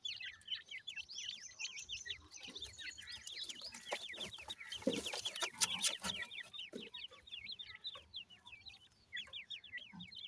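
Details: A group of grey francolin chicks chirping constantly, high rapid down-swept peeps packed closely together, with a burst of rustling and knocking around the middle.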